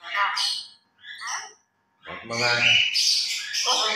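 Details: Pet grey parrot, said to be noisy during its morning routine and play, talks in short bursts of speech-like, harmonic-rich phrases with squawky breaks; many words understandable, including "I love".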